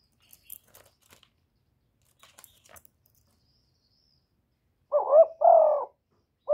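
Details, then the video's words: Spotted dove cooing after a few faint clicks and taps: a low two-part coo arrives near the end, a short wavering note then a fuller hoot, with the start of another at the cut. "Chim Cu Gáy GỌI+THÚC+GÙ hạp bổi kích bổi"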